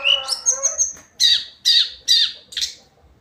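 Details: Song of the hill blue flycatcher (Tledekan Gunung), daily singing: a warbled opening with high whistles, followed by four harsh buzzy notes spaced about every half second.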